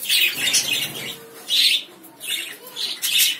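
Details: Piercing, rasping lovebird chirps come in loud bursts roughly every second, with a few softer notes between them.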